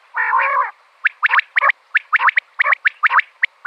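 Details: Female common quail calling, sound used for quail hunting. One half-second buzzy, harmonic note opens, followed by a rapid, uneven series of short sharp chirps, often in pairs, about a dozen in three seconds.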